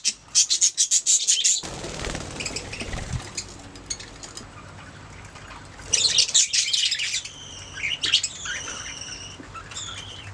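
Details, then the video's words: Pet budgerigars: a fast series of sharp repeated chirps, a quieter murmuring stretch, then loud chatter followed by clear, level whistled notes warbling toward the end. "Budgies singing making sounds chirping"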